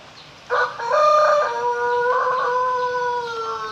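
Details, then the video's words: A Pelung chicken crows in a single prolonged, melodious call. It starts with short stepped syllables, then holds a sustained, ringing note with many overtones that sags gradually for several seconds. "Suara Merdu Ayam Pelung Berkokok"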